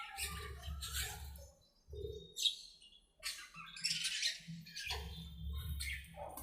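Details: Budgerigars talking to each other while playing in an aviary: bursts of scratchy chatter and chirps broken by short pauses, over repeated low rumbling thuds.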